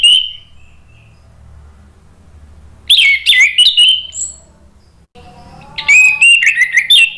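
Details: Orange-headed thrush lure song used as therapy for a bird that has stopped singing: a brief whistle, a silent stretch, then two rapid bursts of loud warbling and twittering notes.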